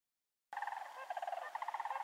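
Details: Sandhill cranes along the road to Canoe Creek, British Columbia, giving a continuous rolling, trumpeting rattle of rapid pulsed notes that starts abruptly after a half-second of silence and carries on to the end.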